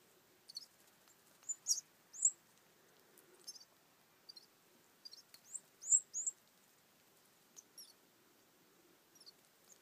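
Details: Canary chick, abandoned by its mother at a week old and hand-fed egg food under a heat lamp; thin, high, squeaky peeps in short scattered bursts over near silence.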